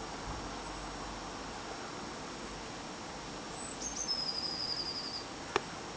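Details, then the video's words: A bird of unidentified species, heard in March from a UK bedroom, gives a brief, very high, thin trill of rapid notes that falls slightly over about a second, against a steady background hiss. "Mystery Bird Call"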